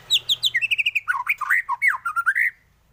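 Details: Energetic white-rumped shama song with full 'isian' variations, meant as a training master for other birds. A quick burst of some twenty rich whistled notes, high sharp ones first, then lower swooping slurred phrases, ending abruptly.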